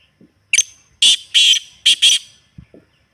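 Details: Calling partridge used to excite a pet bird into answering: one sharp opening note, then four raspy, ringing syllables in two quick pairs, ending with faint soft clicks.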